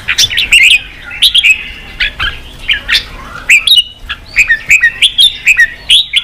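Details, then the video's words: Red-whiskered bulbul singing to excite wild-caught birds into fighting and sharpen their voice: loud, lively whistled phrases of bouncing, slurred notes, repeated in quick bursts almost without pause. "Kích chào mào bổi đấu, luyện chào mào sổ giọng, kích chào mào căng lửa"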